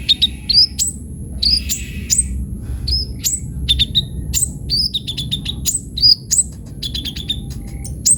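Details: Sunbird in full, lively song with many varied phrases, for luring and tutoring birds; quick sequences of thin high chirps and downslurred whistles, occasional brief pauses, steady faint high hum throughout.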